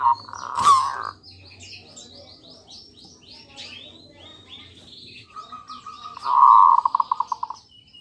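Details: Local zebra dove lure song to provoke answers from other doves: a loud knock and brief coo, faint high twittering from other birds, then a steady low purring trill ending in a run of quick pulsed coos.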